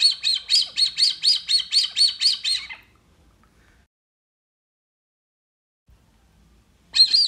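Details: Brazilian teal playback: a rapid string of about eleven shrill whistled notes over nearly three seconds, then a silent gap of four seconds before another burst of whistles begins.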